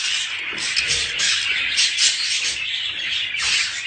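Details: Budgerigar mating sounds meant to encourage pairs to breed: continuous high warbled chatter with bright chirps and squeaks overlapping, brief louder bursts near the start and end, and a faint low rumble underneath.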